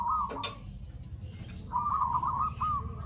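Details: Zebra dove lure call meant to attract other zebra doves: a short trilled coo opens, a sharp clatter interrupts, then a longer rippling cooing trill follows over steady low background noise.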